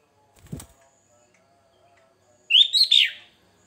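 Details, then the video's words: Sooty-headed bulbul singing a varied song used for luring: after a single knock, a bright bubbly whistled phrase rising and falling over about three-quarters of a second, otherwise near silence. "Suara burung kutilang Fariasi"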